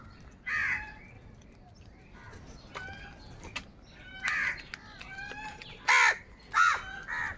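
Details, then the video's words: Many crows gathered in the morning, fighting for food: a series of harsh, nasal caws at irregular intervals, some loud and some fainter, with scattered clicks and sharp ticking sounds between them. "Many Crows Crowing sounds and Crowing noises in the Morning"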